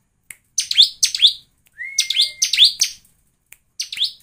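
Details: Bar-winged prinia lure song, used to make other prinias sing actively: loud, sharp downslurred chipping notes in short bursts, with one long thin steady whistle in the middle and brief gaps between bursts.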